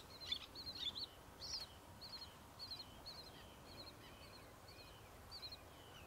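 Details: Roseate tern, recorded 27 August 2022, giving short, sharp, high chattering notes, about two per second, each with a slightly lower trailing part, over a soft background hiss.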